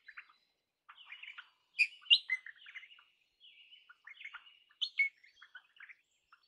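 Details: Crimson rosella chattering in a busy, uneven run of short whistled and chirping notes, some louder and sharper, over about six seconds.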